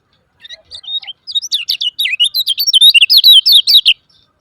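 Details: Lemon-bellied white-eye calls used as a lure to make silent caged birds start singing: a fast, busy run of high twittering and chirping notes, sharply rising and falling, packed closely together for about three and a half seconds.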